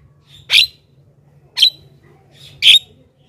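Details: Javan myna luring sound: three harsh, rasping squawks about a second apart, evenly spaced.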